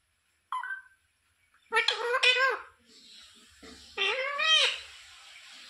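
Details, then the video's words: A pet rose-ringed parakeet talks in a harsh, nasal voice, saying "sita ram": a short word, then two longer rising-and-falling, speech-like phrases. "Parrot talking sita ram"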